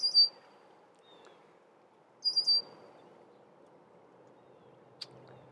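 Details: Red-winged blackbird male guarding its nesting area against intruders: short, very high, piercing notes given in two bursts about two seconds apart against a quiet background, with one sharp click near the end.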